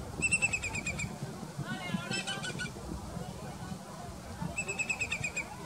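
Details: A Whimbrel at Plaiaundi park, Txingudi, Irun, Gipuzkoa gives two rapid tittering runs of about seven even, whistled notes, with some wavering calls between them over a low rumble of wind or surf.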